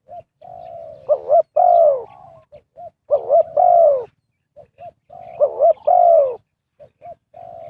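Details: Decoy spotted dove luring wild birds into a trap: three phrases, each a soft lead-in coo, two quick rising-falling swoops and a long rolling descending croo, spaced about two seconds apart.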